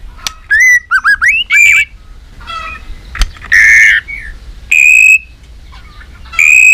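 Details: White-rumped shama in competition fighting song: loud, varied whistled phrases with rapid rising-and-falling notes, sustained pure whistles and harsher buzzy bursts, separated by short pauses, plus one sharp click.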